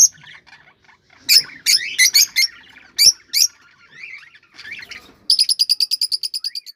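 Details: Cockatiels in captivity, sounds used to prompt breeding: a burst of loud screechy and warbled notes, a faint tap, then a long rapid series of evenly spaced buzzy pulses to the end.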